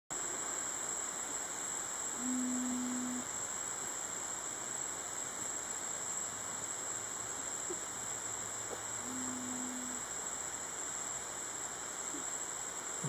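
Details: Long-wattled umbrellabird at a lek in Buenaventura reserve on 26 February 2011 gives two deep, steady, humming booms about seven seconds apart, each lasting about a second, over constant hiss and a thin, high insect-like whine.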